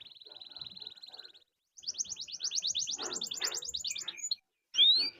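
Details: Canary song used as a prompt for other canaries to sing: a steady rapid trill, a short break, then a louder pulsing trill of about two and a half seconds and a sharp sweeping note, with faint background clatter.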